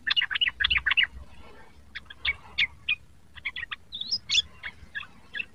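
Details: Young yellow-vented bulbul learning to sing: rapid bursts of sharp, varied chattering notes, a quick rolling run at the start, then scattered chips and a brief rising whistle, with low background hum.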